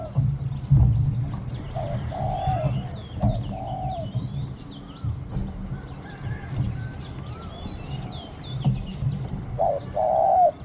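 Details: Spotted Dove decoy cooing against wild doves, small-voiced khu-ang style: scattered low coos in short pairs with long gaps, closing with a stronger coo, over busy chirping of other birds and low background rumble.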